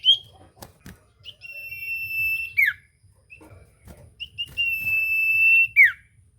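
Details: Common iora song used to provoke a silent bird into singing: two long, pure, level whistles, each held over a second and ending in a quick downward slur, with a few short soft notes between them.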